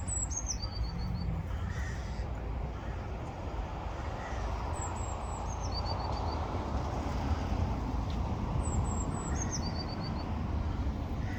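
Blue tit singing three times, about every four seconds: two or three thin, very high notes that drop into a quick, lower trill. Steady low rumble of wind or traffic throughout.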